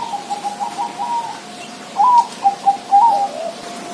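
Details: Zebra dove: soft, rapid trilling coos first, then louder, separate cooing notes repeated at an uneven pace.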